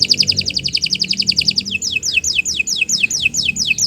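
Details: Canary song recorded in the morning as tutor material: a quick rolling trill of bright chips, shifting to slower repeated down-slurred whistles, with a faint low background hum.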